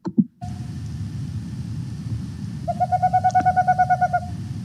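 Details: Male Boreal Owl vocalizing, the call used to attract females: one soft hoot, then a quick, even run of about a dozen hollow hoots, roughly eight per second, over a low rumbling background.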